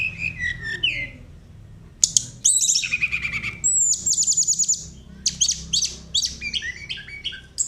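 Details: A Sunda robin sings its rolling flute-like song: descending whistled slurs, then bursts of rapid high trilled notes and sweeping whistles, with brief pauses between phrases and a low background hum.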